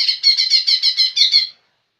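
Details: Energetic song of a young lesser green leafbird: about eight quick, clipped high notes in an even rhythmic series, then silence.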